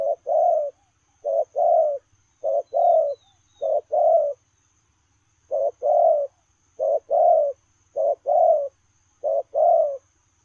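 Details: A spotted dove coos while running, 'lèo rồng' style, with about nine deep, breathy phrases. Each has a short lead note and a longer coo, spaced about a second apart with one longer break midway.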